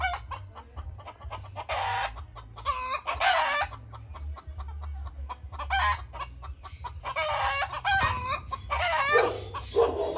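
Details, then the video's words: White rooster with chickens, clucking in irregular bursts of harmonic, nasal clucks between short pauses, with a steady low hum underneath. "White rooster clucking"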